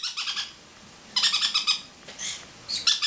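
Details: Pineapple conure perched on a person's head, laughing away while another pet bird bathes and one talks nearby; quick bursts of bright, harsh chattering notes in rapid runs, with separate shorter squawks between them.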